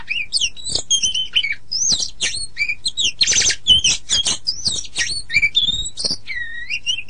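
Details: Oriental magpie-robin (kacer) training song: a continuous fast jumble of high looping whistles, sharp clicks and a buzzy rattle, ending in a swooping whistled phrase.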